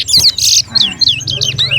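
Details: Towa towa, the chestnut-bellied seed finch, competing in a singing race at Alligator Park: a quick run of clear, sweeping whistled notes, rising then dipping, with a brief harsh buzz and a low hum underneath.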